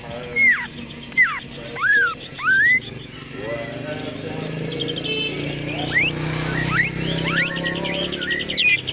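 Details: Greater green leafbird song used as a lure to provoke other birds into singing: four loud looping whistled notes, each rising then dropping, followed by a denser, busier warble of chirps over steady background noise.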